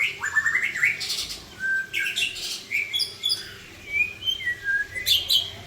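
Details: White-rumped shama of the Aceh type, with a drooping tail, delivers a rich song full of quick whistled phrases, short chirps and sliding notes in bursts, with constant low hum underneath.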